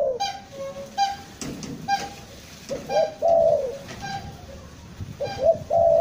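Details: Lure spotted dove from Bandung in Indonesia, described as a trapped bird singing eagerly in a stuttering style. It gives soft hooting coos in groups of short notes followed by a drawn-out falling coo, several phrases across the clip over a low rumble.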